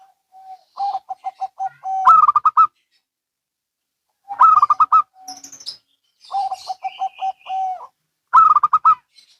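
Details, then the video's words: Zebra doves of local and Bangkok stock responding to each other: a run of even, soft coos leads into a loud rapid coo burst, a pattern repeated three times, with a faint high twitter from another bird in between. "Perkutut Lokal & Bangkok Bunyi Saling Bersahutan"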